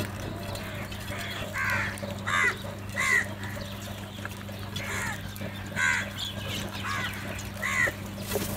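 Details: Crows squabbling over food give rough, hoarse caws spaced unevenly about a second apart, against a constant low hum and background noise.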